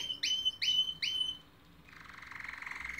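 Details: Canary song fragment: three quick rising whistled notes repeated about every half second, followed by a softer buzzy rolling trill.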